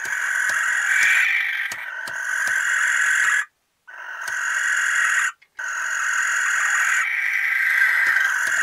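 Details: Barn owl pair in a nesting box, in it for the first time, in Recke, Germany, on 13 May 2021: long, harsh, hissing screeches of several seconds each, broken by short silent gaps, with faint clicks and scratches.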